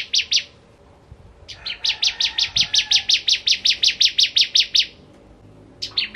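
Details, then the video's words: Ciblek Kristal bar-winged prinia in full ngentrok singing: two sharp notes, a pause, then a long fast run of about twenty buzzy high pulses at steady pitch, ending abruptly. "Ciblek Kristal Gacor Full Ngentrok"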